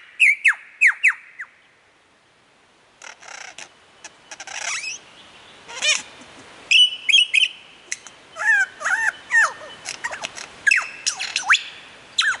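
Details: Lyrebird performing on a mound near Warburton, Victoria, imitating several other bird species: opening quick falling whistles, a brief pause, then buzzy rattles and a dense stream of loud varied whistles, trills and sweeping notes.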